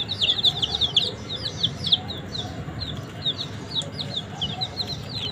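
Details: Baby chickens feeding on green leaves, kept warm by a heat source. A dense burst of loud, high peeps opens, then they thin into scattered descending chirps over faint background hum.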